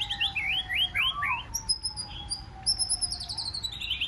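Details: Wild-caught white-rumped shama in competitive forest-voice song: varied looping whistled phrases, then high trilled notes. A steady low tone hums underneath throughout.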